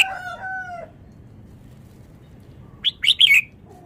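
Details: Red-whiskered bulbul from Vietnam singing fast: after a fading lower harmonic call at the start and a quiet gap, a brief, lively phrase of three or four bright chirps closes the recording.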